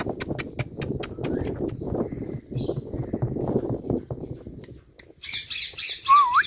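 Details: An Indian parrot imitating water-drop sounds gives a run of quick clicking, drip-like notes, then harsh squawks and a wavering whistle, over low rustling background noise.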